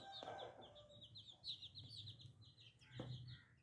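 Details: Newly hatched chicks peep in a steady run of high, falling chirps, densely packed, with a couple of louder thumps and a soft low hum behind them.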